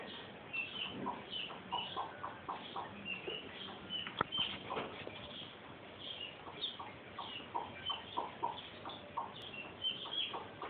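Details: Newly hatched chicks peep steadily in high, thin notes, several overlapping at once, with the hen's soft clucking lower down and a faint background hiss. Three of the six eggs she incubated have hatched.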